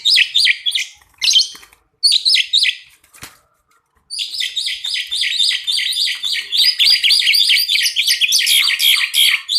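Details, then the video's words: Pied myna duo singing. Two short bursts of grating chatter and a pause lead into a dense, unbroken run of fast, raspy, squeaky notes and whistles that keeps going to the end. "Kicau an dua ekor burung jalak suren Gacorr Dor"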